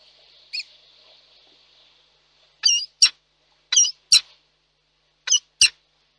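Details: Peregrine falcons at a nest in Reda, Poland, meeting as a pair after a storm at 20:10 on 1 July 2022: a brief faint note, then three pairs of harsh, grating calls, each pair a rasping note followed by a sharper one.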